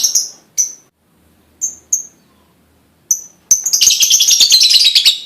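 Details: Lovebird lure song to set other lovebirds singing: a few scattered sharp high chirps with silent gaps, then a sudden loud, dense, buzzy chattering trill that continues to the end.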